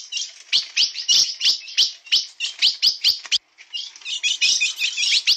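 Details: Steel-billed blue-black grosbeak singing na pegada: a rapid stream of sharp, high chirps with one short pause midway, then the twittering resumes.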